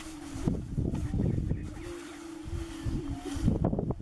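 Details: Prairie-chickens boom together on a lek during the spring mating season in northeast Nebraska, a low steady hooting drone broken by low thumps and bursts of clatter, with faint wind.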